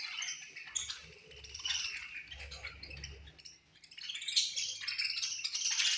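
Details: Many budgerigars in a colony chirping around feeding time, with bursts of high, buzzy twittering, a brief lull near the middle, then a louder swell of overlapping chirps and chatter.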